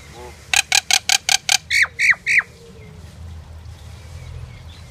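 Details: Indian myna song: a fast, even train of six harsh rasping chacks, then three loud whistled notes that slide steeply downward, followed by quiet background rumble.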